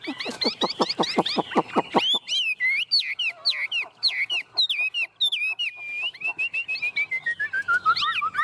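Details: Chinese hwamei singing hard on its owner's hand in the 'ôm cóng' style: a rapid volley of sharp downward-sweeping notes, followed by varied whistles, twisting phrases and a descending string of chirps.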